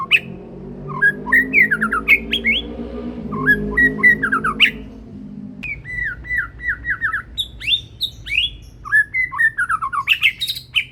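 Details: Juvenile-plumaged Medan white-rumped shama wearing a leg band, singing loudly: clear whistled phrases and downward-sweeping notes in quick series, over a steady low droning background.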